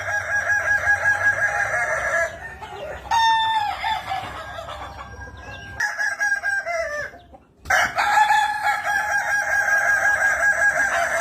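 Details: Kukuak Balenggek rooster, Minangkabau singing chicken, delivering stacked, layered crows: long sequences of repeated level syllables, a few sliding notes in the middle, short silences, then another strong sustained crow.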